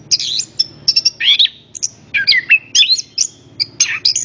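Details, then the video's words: Orange-headed thrush in full song, used as a lure to prompt other birds to sing: rapid, varied high phrases of whistled slurs, buzzy notes and sharp chirps, broken by brief pauses. "PANCINGAN BURUNG ANIS KEMBANG"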